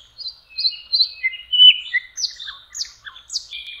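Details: Nightingale singing at a lake in spring, May: clear whistled notes and short downslurred phrases, each repeated in quick series, with no other sounds.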